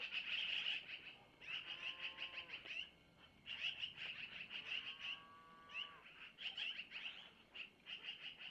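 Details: Long-eared owl owlets on a nest camera near Missoula, early morning of 25 April 2024, as their mother feeds them food taken from the male; loud continuous high chirping trills interrupted by lower quavering calls.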